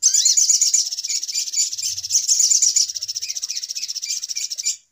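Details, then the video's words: Sunbird call played as a trapping lure, agitated style: an unbroken, very high, rapidly pulsing chatter with a short rising whistle at the start, ending abruptly. "Suara Pikat Ribut Burung Sogok Ontong Paling Mujarab"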